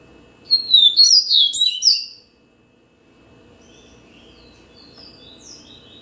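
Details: A yellow-bellied seedeater delivers a loud, hurried series of high slurred whistles and buzzy twitters lasting under two seconds, then only quiet, distant thin notes follow against a soft background hum.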